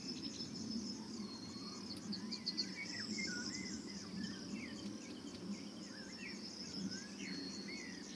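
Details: Golden oriole calling at a nest site in Bulgaria in June 2019, taken from a hide on a Sony FDR AX 700 camcorder; repeated mellow whistled slurs and twisting notes scatter through, backed by constant shrill insect hum and low rumble.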